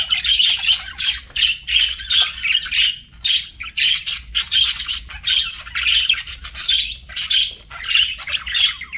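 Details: Parakeet eating: steady, loud, buzzy-scratchy bursts repeating irregularly, over a second at a time, with brief quiet gaps between bouts of crunching.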